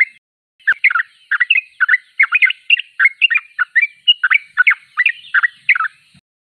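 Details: Sooty-headed bulbul that begins after a brief silence, then delivers a lively series of warbling, chattering notes, closely spaced and fairly even, ending abruptly.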